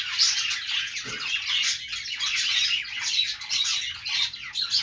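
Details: Parakeet chatter from budgies, a continuous jumble of high chirps, squeaks and harsh little squawks, with a short thump of low sound at about one second.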